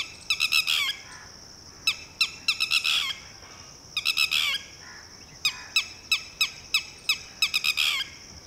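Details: Alarm of a Red-wattled Lapwing, known as titehri, telling a just-hatched chick to run and hide: loud piercing notes fired in rapid bursts of three to six, with short gaps between bursts; faint insect hum beneath.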